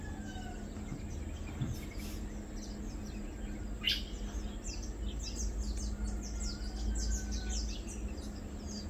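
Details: Lowland white-eyes feeding, 2 August 2022. Short, sharp, high tweets come irregularly and grow denser in the second half, over a constant low droning background.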